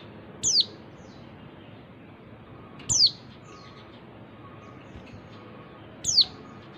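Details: Oriental white-eye female calling to excite males into singing: three brief, high, downslurred whistles spaced roughly two and a half to three seconds apart, over a low continuous background hum.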